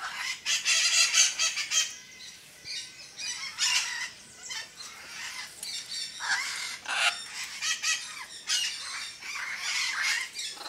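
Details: A flock of parrots kept at Parque de las Leyendas screeches continuously, with grating, noisy calls from several birds rising and falling in loud waves.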